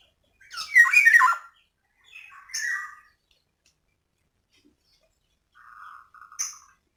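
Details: Female black-naped oriole lure call for prompting lazy males to sing: a loud grating squawk, then softer shorter nasal notes and a brief buzzy rattle, separated by silent pauses.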